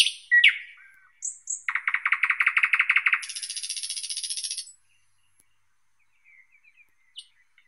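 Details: Thrush nightingale singing: a few sharp opening notes, then a long fast rattle of repeated pulses that shifts into a higher, buzzier trill before silence and faint distant notes.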